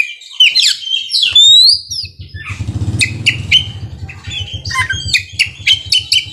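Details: Oriental magpie-robin (kacer) singing ngerol and nembak: loud slurred whistles and sharp repeated chips over an even, fast low mechanical thumping.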